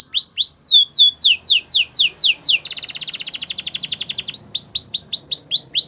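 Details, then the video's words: Belgian canary singing falling whistled sweeps, then a dense fast trill, then the sweeping notes again. "Do this and your belgian canary will sing a lot!! The best canary song"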